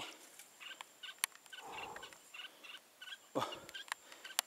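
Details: Red-whiskered bulbul used as a decoy, singing to lure wild bulbuls into a trap: short bright warbled phrases repeated through the clip, with sharp clicks and a loud low thump in the middle and people talking quietly nearby.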